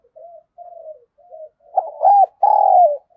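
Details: Decoy spotted dove in 'thúc gù' and calling song to bring in wild birds. Three soft, low coos build into a loud, throaty double coo ending in a long, slightly falling tone.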